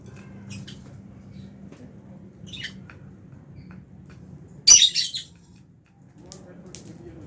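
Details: Aviary lovebirds, a Fischer's and albino colony, feeding on food. Faint scattered chirps, then one loud, rasping, high squawk with a stuttering tail. A pause follows, then a few more brief chirps over a steady low hum.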